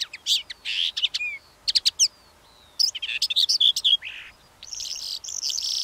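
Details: Calandra lark singing a rapid jumble of high chirps, trills and clicking notes in bursts, a short whistled slide between phrases, ending in a harsh rasping stretch.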